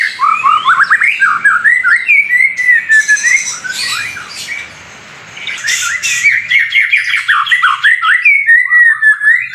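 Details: Loud singing from a caged white-rumped shama fighter: dense rapid chattering and whistled notes, harsh squawky bursts, a short quieter gap, then fast repeated rising trills resume.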